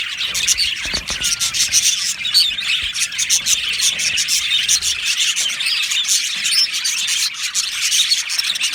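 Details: Aviary full of budgerigars producing a continuous chattering chorus of bright chirps and scratchy warbles, with one clear rising whistled note early on amid the steady flock noise.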